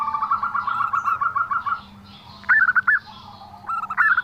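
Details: A zebra dove gives an unusual call: a quick even series of about fifteen short mid-pitched notes, then two louder, choppy rising-and-falling phrases.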